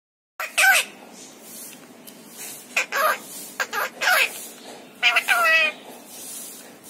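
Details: Talking parrot producing short bursts of bright, harmonic, speech-like vocal sounds with rising and falling pitch, separated by brief pauses over a quiet background.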